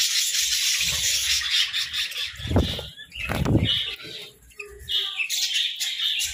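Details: Budgerigars chirping while eating grass and moringa in winter: dense, continuous high twittering and warbling chatter, with low crunching thumps from feeding near the middle.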